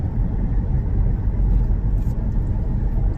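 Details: Steady, heavy low-frequency rumble, like wind buffeting or a running vehicle, fills the whole recording.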